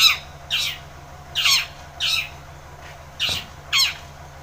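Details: Vigorously singing long-tailed shrike, played to coax a reluctant shrike into song: a run of six grating, scratchy squawks at uneven intervals, each short and rough, with a low electrical hum beneath and a soft thump midway.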